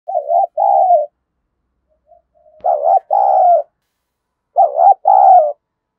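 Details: Spotted dove, a caged decoy bird kept to provoke rivals, cooing. Three deep, throaty two-part phrases about two seconds apart, each a short burred note then a longer rolling one, with silence between.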